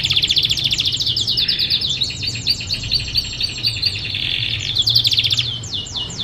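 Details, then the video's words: Canary bird singing, recorded as training song for other birds: dense high rolling trills with rapid chattering notes, a brief lower buzzy stretch, then more quick repeated chirps. "Best Canary Bird Singing _ Training Canary bird"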